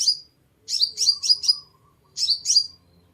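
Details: Sunbird song used as a lure: bursts of high, sharp, falling chirps, one run of four in quick succession, then two more after a pause.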